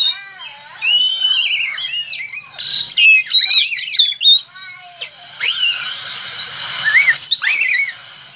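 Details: An Oriental magpie-robin (kacer) in full, vigorous song gives a rich, varied run of high whistles, slurred rising notes and harsh chattering phrases, delivered in quick bursts with brief pauses.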